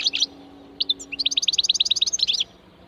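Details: Wild-type European goldfinch singing its 'ranna' ringing phrase: a brief twitter, then a fast, even run of bright, high, tinkling notes ending in a flourish, with a faint low tone behind.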